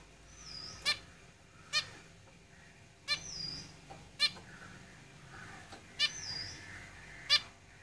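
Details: Zebra finches singing in a cage: sharp, nasal, harmonic-rich notes burst out roughly every second, mixed with thin high whistles that slur downward, over a low steady background hum.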